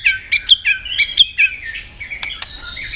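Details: White-rumped shama giving a fast, jumbled competitive song of bright chirps and whistles, then softer warbling and two sharp clicks.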